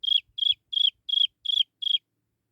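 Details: Chinese francolin chick crying out for its mother: six bright, high-pitched peeps, each falling slightly at the end, spaced evenly under half a second apart. Faint low thumps sound between notes.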